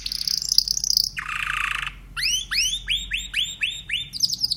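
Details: Timbrado canary singing. A high rapid trill shifts into a lower, dense, buzzy roll. Then comes a row of about eight arched, swooping notes at an even pace, ending in a brief high trill.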